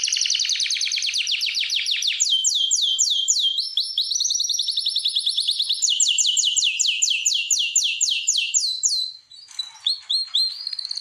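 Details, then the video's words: A canary sings in a breeding room where birds are paired for mating: a continuous run of trills, each a quick series of repeated downslurred notes, changing pitch and speed every two seconds or so. "جولة في غرفة طيور الكناري مع تغريد روعة"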